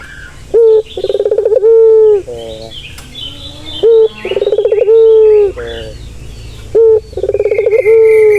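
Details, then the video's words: Relaxing turtle dove coo for a stressed bird, three times over, each a clipped opening note, a rolling pulsed run and a long even low note, with faint high chirps of small birds behind. "Suara santai yang bisa mengobati burung puter yang lagi stres"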